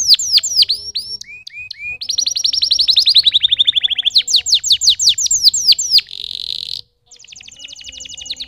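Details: Canary song built from sharp falling chips, then long rapid trills that slowly descend, a harsh buzzy burst, a brief silence and a final fast high trill.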